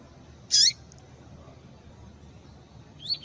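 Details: Female coleiro, the double-collared seedeater, calling to rouse a male for tui-tui tournaments: one loud, harsh, high chirp, then faint thin notes near the end over low hiss.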